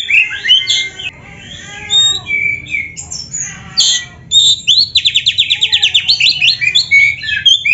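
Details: Canary-mimicking song of an oriental magpie-robin: jumbled high chirps and downslurred whistles, a short lull, then a fast buzzy trill of repeated notes followed by more twittering phrases.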